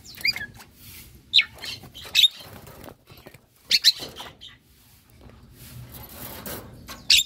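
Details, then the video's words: A semi white-eyed Javan myna kept in a cage sings busily during its bath, giving scattered short, scratchy, squeaky notes in uneven bursts, with brief gaps and low background noise. "Jalak Kebo Mata Putih Gacor di Keramba Mandi"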